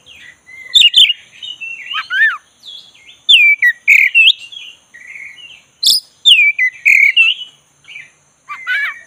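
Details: Oriental magpie-robin, black-breasted type (kacer dada hitam), stirred into lively singing: a continuous mix of descending whistles, buzzy trills and loud clipped notes in bursts about every second, separated by brief quiet gaps.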